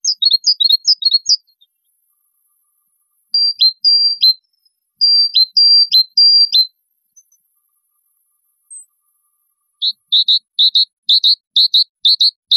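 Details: Bulbul song, clean with no background: a run of quick high chirped notes, then paired long level whistles each ending in a sharp downward flick, then a fast series of short bright repeated phrases.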